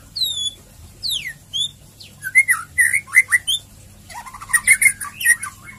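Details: White-rumped shama, ngeriwik and ngeplong song used to trigger singing: clear descending whistles open, followed by loud bursts of chattering, warbling notes in quick groups with short gaps between.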